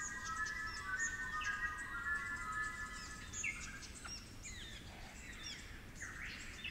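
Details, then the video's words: Melodic 'flute lyrebird' song of a Superb Lyrebird from cool, damp Werrikimbe Wilderness forest in New South Wales's New England Tablelands. It opens with sustained, pure fluted tones, followed by quick swooping notes and scattered high chirps from other birds, over a steady forest hiss. "Flute Lyrebirds of the Werrikimbe Wilderness"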